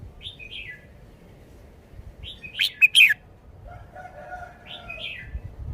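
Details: A caged red-whiskered bulbul shows its song style: soft slurred notes, one loud phrase of three or four sharp bright chirps, then quieter warbling and a faint lower whistle.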